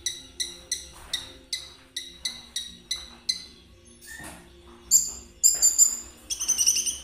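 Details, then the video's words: Konin song meant to stimulate a kolibri ninja: a steady series of high, sharp ticking notes comes about once per second, then shifts into a louder, tumbling high chatter of bright, twittering phrases. "Terapi KONIN agar ikut gacor !! Cocok buat pancingan kolibri ninja. suara konin Trotol."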